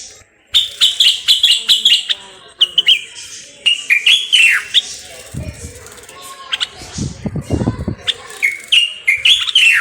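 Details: Common bulbul from Morocco in a long, lively song of fluty whistles and slurred, descending notes delivered in quick successive bursts, pausing briefly midway before more whistled phrases resume.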